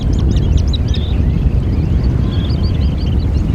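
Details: Eurasian oystercatcher giving a quick run of four sharp, high piping notes, then scattered fainter calls from other birds nearby, all over a heavy, constant rumble of wind or surf.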